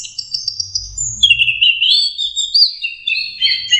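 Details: Young orange-headed thrush learning to sing: a continuous run of high, thin whistles that slide into a rich, slurred warble, with overlapping notes and faint low rumbling underneath.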